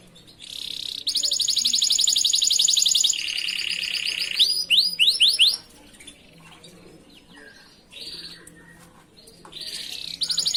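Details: Canary master song, a recording used for training other canaries to sing: bright high trills and fast rolling tours, a steady buzzy roll, then quick rising sweeps, with quiet gaps and brief trills returning near the end.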